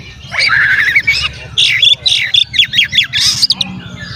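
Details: Energetic song of an Oriental magpie-robin intended as a provocation lure: a wavering warble, then a chain of sharp, loud whistled notes repeated in quick, uneven rhythm.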